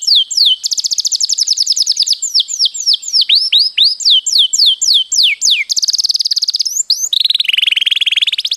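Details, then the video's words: Canary in a master recording of long rolling song (ngroll panjang) for training, giving rapid series of downward-sweeping whistled notes interleaved with short dense trills, ending in a buzzy, fast rolling trill that carries on steadily. "mastersn burung kenari gacorr ngroll panjang"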